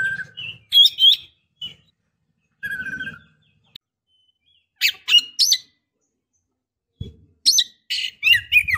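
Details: Female Oriental magpie-robin in breeding condition calling to a male; scattered squawky chirps and short whistles in irregular bursts, with faint low rumbling noise beneath some phrases.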